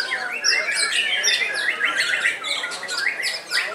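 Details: Fifteen-year-old caged white-rumped shama, among the oldest still singing, pours out rapid downward-sweeping whistles and crisp high notes in quick succession, varied and energetic throughout.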